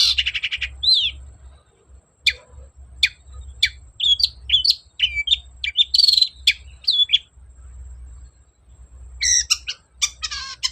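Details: Long-tailed shrike in vigorous song, a lure to make a silent bird reply: a harsh rasping burst, then a long series of sharp chips and varied whistled slurs, ending in fast rattling trills.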